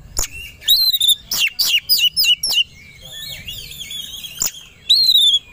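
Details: White-rumped shama, stirred to sing aggressively and ready to fight: rapid high whistled notes sweeping downward in quick succession, a quieter warbled stretch, then a loud clear whistled phrase.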